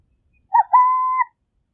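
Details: A single song phrase from a Burrowing owl (Athene cunicularia): a brief hoot, then a drawn-out even coo lasting about half a second. No other sounds are heard.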